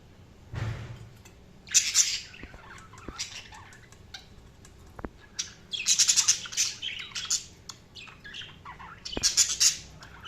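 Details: Budgerigars chirping: bursts of harsh, buzzy squawks and rapid scratchy chirps in clusters separated by short quiet gaps, with a few sharp clicks.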